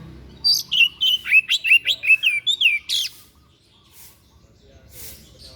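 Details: White-breasted bird with a strange song, useful for training songbirds: about a dozen rapid, looping high whistles packed into two and a half seconds, then near silence with faint noise.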